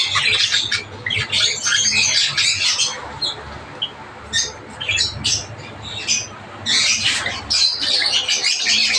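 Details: A group of Java finches, that is Java sparrows, chattering in quick, irregular chirps and squeaks, loud bursts alternating with quieter stretches, some sharper single notes in the middle.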